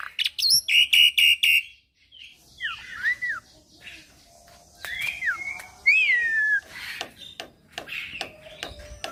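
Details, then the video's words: Javan pied starling, a young bird, sings a run of sharp repeated chips, then slurred up-and-down whistles over a quieter, noisy background. "Masteran Burung Jalak Putih Full Isian - Jalak Putih Muda Gacor"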